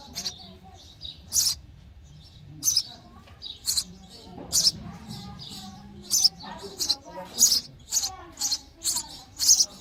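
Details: Nestling sparrows calling for food during feeding: high, thin chirps, sparse at first, then quickening into a rapid run of repeated squeaks toward the end.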